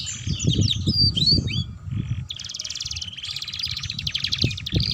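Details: Canary master song, gacor and ngeriwik style, meant to coax young canaries into singing: a few sweeping whistled notes, then fast buzzy trills in blocks, with heavy low thumping noise.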